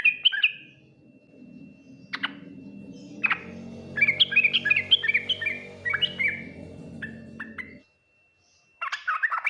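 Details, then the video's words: Yellow-vented bulbul in the Ngriwik, Nguplik, Tuklik-Tuklik style that draws replies from other bulbuls; scattered chirps and a jumbled warbled phrase over a steady low humming background, a brief silence, then more notes. "Suara Burung trucukan Full Ngriwik Nguplik Tuklik-Tuklik, paling cepat di respon trucukan lain"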